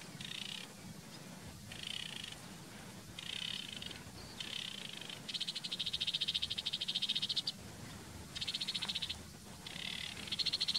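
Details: Sedge warbler singing among reeds: repeated bursts of harsh, scratchy chattering, each about a second long and separated by short pauses, including a longer rapid, buzzy rattle midway, over a steady low background hum.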